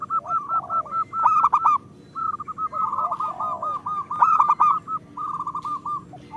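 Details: Local zebra doves in gacor song, played to encourage slow singers: several rolling coo phrases, each a quick string of bubbling notes, with lower sliding coos and brief clicks between.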